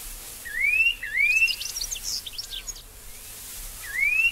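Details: Restless Flycatcher in Australia calling with two bright, rising whistles in quick succession, then a scatter of faint, high chirping notes, and after a short gap another upward-sliding whistle.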